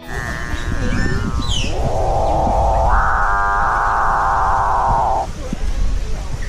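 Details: Male Capuchinbird (Perissocephalus tricolor) giving its calf-like mooing courtship song in the breeding season, body raised and plumage puffed before females: one long low drone of about three seconds stepping up in pitch halfway, over soft music.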